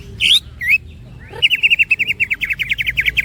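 Greater green leafbird: a few sharp high chirps, then a fast run of about twenty short, bright, clipped notes, roughly ten per second.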